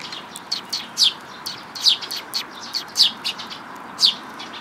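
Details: Several sparrows at a Tenmangu shrine on 5 May 2022 give short, bright chirps, about a dozen in under five seconds. The chirps come at uneven spacing over a quiet background.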